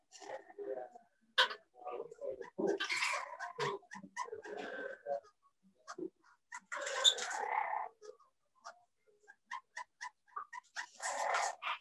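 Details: A pair of parrots chattering, possibly using English words. Fairly soft, busy sequences of clicks, short squawks and garbled speech-like bursts, with a louder raspy passage midway.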